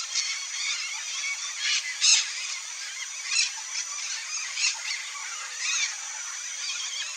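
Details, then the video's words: Red-bellied macaw (Orthopsittaca manilatus), a free wild bird tagged as Pantanal fauna, gives harsh, grating screeches in uneven bursts, roughly one every second, over a steady background hiss. "RED-BELLIED MACAW sounds"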